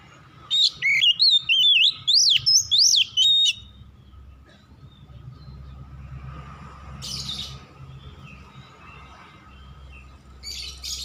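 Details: Oriental magpie-robin singing at dusk: a loud, varied whistled phrase of about seven sliding notes over three seconds, then a long quiet stretch with brief faint chirps and a low steady hum.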